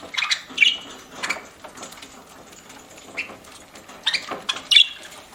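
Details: Budgerigar kept as a pet, chirping as it eats; short bright high chirps come in scattered clusters, with soft clicks and pecking-like patter underneath.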